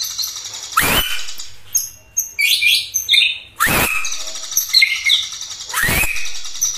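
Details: White-rumped shama, a caged songbird, singing varied high chattering phrases, interrupted three times by loud harsh wheezy rasps.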